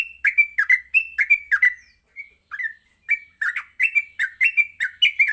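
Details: Lively gacor singing of a yellow-vented bulbul at morning, a lure for training: fast bubbling notes, a softer lull around the middle, then a renewed run of rapid chirps.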